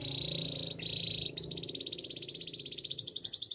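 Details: Canary song for training: a steady high rolling trill that steps upward in pitch and speeds into sharper, pulsing notes. Faint low background hum underneath.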